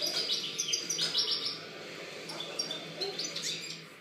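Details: European goldfinch song recorded in 2013: a fast, jangling twitter of high, tinkling notes and short buzzy trills, delivered in rapid bursts without pause over a faint low background hum.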